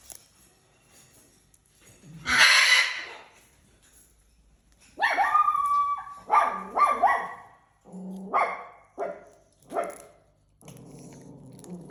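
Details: Pet parrot living in a house with other exotic animals, playing with a friend's feather: a harsh screech, then a run of squawky, whistled and chattering calls of varying pitch, with quiet indoor noise.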